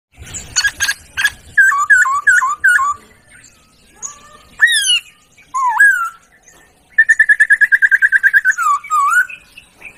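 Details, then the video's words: Laughingthrush song on a tutor recording for training songbirds: sharp clicks and chirps, a series of hooked whistled notes, loud upward sweeps, then a rapid rattling trill of about fifteen even notes and a final slurred whistle. "Masteran Burung Poksay"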